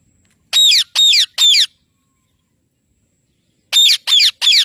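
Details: Pet parrot giving harsh, raspy squawks: three loud calls in quick succession, a pause of about two seconds, then another set of three, with near silence between.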